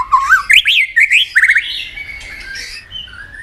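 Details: White-rumped shama singing in competition with many voices: a fast sequence of rising, looping whistles climbing in pitch, followed by softer, thinner sustained whistled notes trailing off.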